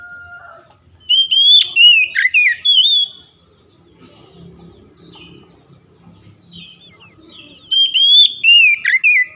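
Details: Oriental magpie-robin singing, used to prompt reluctant young birds to sing: a brief flat whistle, then a rich run of bright whistled notes rising and falling, a quiet gap, and the phrase starting again.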